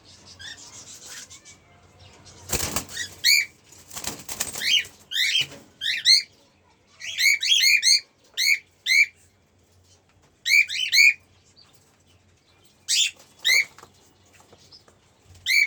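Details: A cockatiel pair gives short, sharp, upward-sweeping chirps in quick bursts, with a few wing flutters early on.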